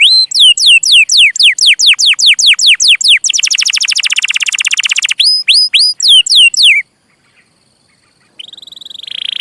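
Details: Canary singing a training song for young birds: a quick series of sharp upward-sweeping whistles, a dense rolling trill, more rising whistles, a brief pause, then a high steady buzzy note.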